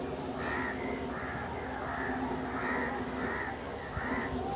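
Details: Crows calling while feeding together with pigeons; a run of six or so even, harsh caws spaced under a second apart over a steady low hum.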